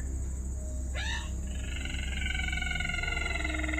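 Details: A call played to test a lure for trapping rails, said to be a brown-throated rail: a sharp rising squeal, then a long nasal, harmonic-rich drawn-out note, over a steady electrical hum and hiss.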